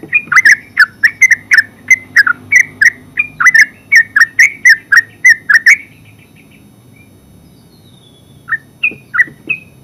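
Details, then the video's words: Yellow-vented bulbul, known in Java as terucuk, singing a fast chattering run of bubbly whistled notes for about six seconds, then a pause and a few separate liquid notes. "Terucuk full suara ngeropel"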